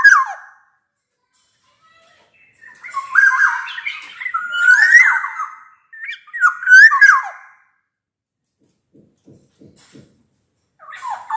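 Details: Black-naped oriole singing loudly, used to coax reluctant orioles into song; a brief whistle, then a pause, then three rich fluty phrases of slurred, warbling notes, followed by faint clicks and a final rising whistle.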